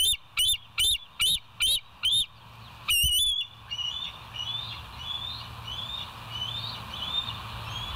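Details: West End bald eagles, filmed by a live nature camera on 7 July 2023 at 06:21: six loud, shrill, chittering notes, a short gap, one more sharp note, then faint, distant, thin piping notes trailing off.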